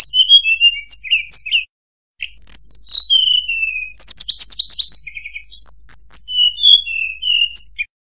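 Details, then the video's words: Varied song of a murai buluh: short whistled phrases, a short pause, then downward sliding whistles, a dense buzzy rattle and more rising and falling notes. "Burung Murai Buluh | Tledekan"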